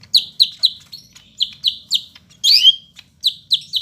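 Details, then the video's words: Medan-type Greater green leafbird, Bandung, 5 September, singing its dense fill song: clipped high descending whistled notes in pairs and triplets, with one loud rasping, squeaky burst near the end of the sequence. "Burung Cucak Hijau Medan, isian rapat"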